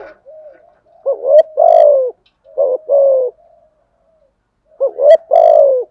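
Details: Spotted dove used as a decoy to provoke wild birds; loud, deep coo phrases, each a quick rising hook then a long slurred downward coo, given three times with pauses, plus a soft opening murmur.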